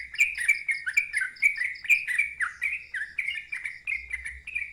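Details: Sooty-headed bulbul singing a loud ngeropel song in a wild-type voice. A fast, unbroken string of bright, slurred chirps repeats about twice a second, fairly even in pitch and rhythm.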